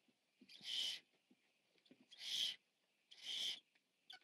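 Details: Barn Owl owlet, the biggest in the nest, eating on 14 September 2015. Three rasping, airy hisses follow one another about every 1.3 seconds, with light scratching and tapping between them.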